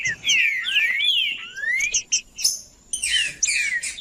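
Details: Green-winged saltator singing macheando style to stimulate a cold bird: a series of loud rising and falling whistled slurs, a brief pause, then a burst of busy chattering notes with more whistles.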